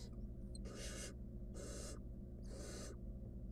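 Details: In a wild barn owl nest box, a nestling attempting to eat a stolen rodent by itself makes loud broad hissing screeches, three drawn-out rasps with short gaps, over steady low hum.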